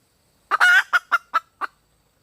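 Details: Female red junglefowl calling for a mate. A long nasal squawk is followed by four short clucks that fade out at roughly quarter-second gaps.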